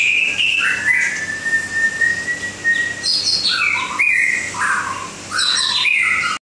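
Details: White-rumped shama song from Langkawi: a long level whistle held about two seconds, then lively broken phrases of rising and falling whistles and short chirps, with a faint low hum.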